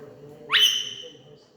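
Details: A pet Indian ringneck parakeet indoors, yelling angrily at its owner, gives a single harsh, rising screech of about half a second over a faint low indoor hum; finding: rose-ringed parakeet.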